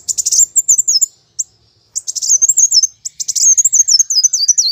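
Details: Nearly continuous high, shrill chattering from a plain sunbird in fighting song, bursts of rapid chips linked by rippling, zigzag squeaky trills that fall slightly in pitch.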